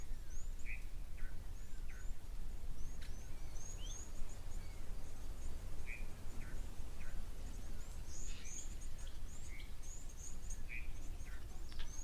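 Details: Blue waxbills in thickets very close to the camera at an African waterhole where elephants drink, on a morning of sunshine and showers: very high, thin, short calls from several birds, with lower chirps from other birds over a steady low rumble.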